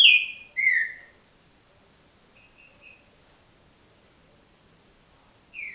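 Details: Green-winged saltator, a trinca-ferro said to manage up to thirty songs but still slowly, giving two strong descending whistles, then faint soft notes after a long pause and another whistle starting at the end.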